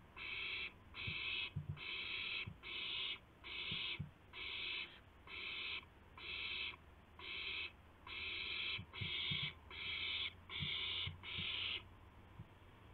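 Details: At 2:51 AM on 2 April 2016, an owl comes with a gopher. A long run of a dozen rough, hissing screeches, closely spaced and evenly loud, stops abruptly near the end, with scattered low knocks.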